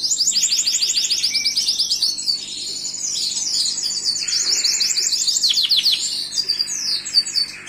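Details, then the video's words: Gloster canary singing a long varied phrase of quick high trills, rolling tours and twitters, with a lower buzzy section near the start and brief sweeping notes later. "تغريد كناري جلوستر"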